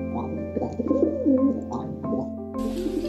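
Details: A rescued male Rock Pigeon kept in a New York City apartment gives soft, low, throaty chuckling coos, the chuckle he makes when caught stealing soft things, over background music.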